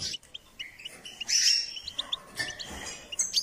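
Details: Goldfinch song during a guide to improving its singing: scattered thin chirps and short whistled notes, with one brighter, drawn-out whistle and a few quick twitters, less dense than a full phrase.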